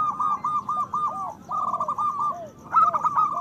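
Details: Zebra Doves of a local strain sing with big voices to stimulate breeding desire; two phrases of quick bubbling coos, each with a falling tail note, a short pause, then a louder stuttering phrase.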